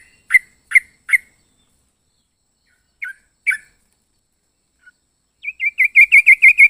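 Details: Yellow-vented bulbul (trucuk) with a few sharp chirps, a pause, then a fast run of rapid repeated notes at the end.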